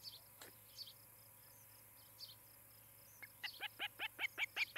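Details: Nest-cam recording of an Osprey in Charlo, Montana, evening of 17 July 2018: a few faint scattered notes, then a building series of about nine loud, clipped whistled chirps in the final second and a half, with insects buzzing behind.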